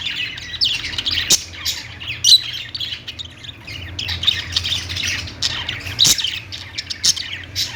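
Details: Parakeet chatter from several budgerigars mixes harsh squawks with high, fast chirps, punctuated by a few sharp cracks, over a low background hum.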